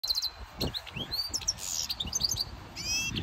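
A goldfinch mule sings a rapid, bright twittering song of high tinkling notes, buzzy rattles and quick rising slurs, with light background noise.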